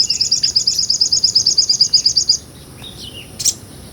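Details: Sogon (sunbird), a small nectar feeder, singing ngobra-style as tutor song for songbirds such as jalak suren, murai and kacer: a rapid, even, high-pitched trill lasting over two seconds, then a thin descending note and a single sharp chip.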